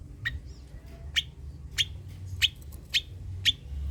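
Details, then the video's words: Long-tailed shrike, an active 'gacor' singer used as a lure to prompt reluctant shrikes to sing: short harsh rasping notes repeated roughly every half second to second, over a low steady rumble. "Suara Cendet PASTOL GACOR || Pancingan Cendet Malas BUNYII"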